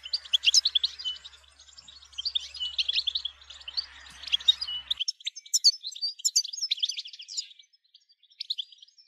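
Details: European goldfinch song of rapid, high twittering phrases over a soft hiss early on. The notes grow sparser and fade toward the end.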